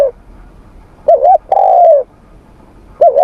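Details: Morning voice training by a spotted dove: a quavering double coo followed by a long, smooth, slightly falling coo, then another double note begins.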